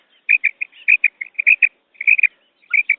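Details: Female quail calls used for hunting: short, high chirping notes, often in quick pairs or triplets, repeated in irregular bursts of about one to two per second. No other sounds.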